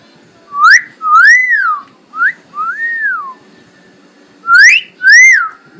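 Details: A pet talking common hill myna in the Philippines gives loud, pure whistles, some sharply rising and others arching up then sliding down, six notes in two bursts with a brief pause.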